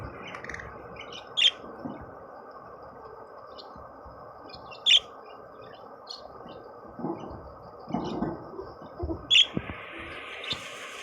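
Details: Budgerigar (Melopsittacus undulatus), call.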